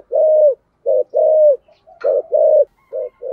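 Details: Spotted dove used as a decoy, cooing loudly and close in repeated phrases: short clipped notes followed by longer drawn coos that dip at the end, with a faint click in the middle.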